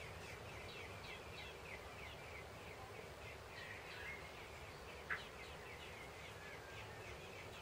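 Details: Young common blackbirds being fed during heavy rain give thin, high chirps in quick, steady series, several per second, over a low rural rumble with one sharp knock.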